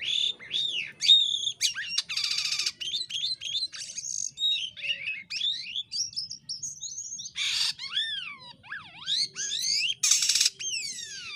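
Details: Jalak kapas myna in full song, used as a master recording for training birds: a varied string of loud whistled slurs, rising and falling sweeps, buzzy bursts and sharp chips with brief pauses.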